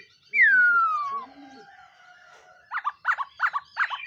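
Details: Black-throated laughingthrush in morning voice training gives one long loud whistle gliding downward, followed by four evenly spaced short rich notes.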